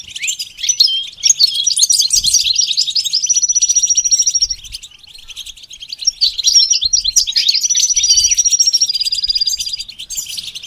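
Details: Goldfinch singing a rapid, tinkling twitter of high chirps and buzzy notes, broken by two long level trills, in two bursts separated by a short pause near the middle.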